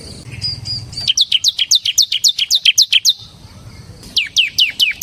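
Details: Semi-type ciblek (bar-winged prinia) in persistent song; a soft thin note repeated, then a long rapid series of about fifteen high downward-slurred chips, a pause, and four more.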